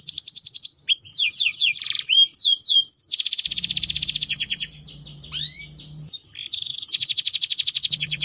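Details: Timbrado canary singing a melody: rapid trills of repeated high notes, fast descending slurred whistles and sweeping notes, switching between phrases every second or two, with a low hum underneath in the middle.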